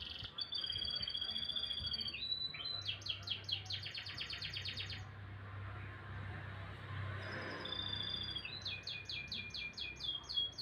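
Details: Morning canary song mixing long pure whistles with bursts of rapid rattling trills, a short quiet gap, then more fast repeated notes; faint low hum behind.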